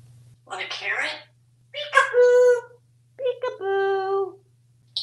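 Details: Talkative male African grey parrot kept as a pet in a home in Texas, speaking three drawn-out, tonal phrases, the last two sliding and held like sing-song words, over a low steady hum.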